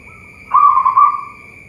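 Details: A single soft, low, quavering coo from a local zebra dove at a bird farm in Boyolali, Central Java, Indonesia. The phrase swells quickly and then fades, with a faint constant high whine behind it.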